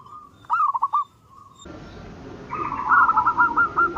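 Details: Zebra dove calling in the morning: one clear phrase of an opening coo and quick short notes, then a sudden change to a louder, buzzier rolling series of rapid coos.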